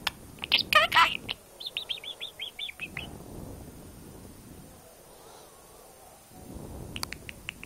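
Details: A hand-reared, very tame six-month-old male budgerigar chatters in a quick, high, scratchy burst, repeatedly saying "scooby doo", then gives a run of short chirps.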